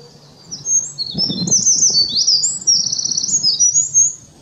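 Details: Eurasian wren singing on 10 May 2019: a long, rapid, high-pitched outpouring of shrill twittering notes and fast trills, with a brief low knock in the background.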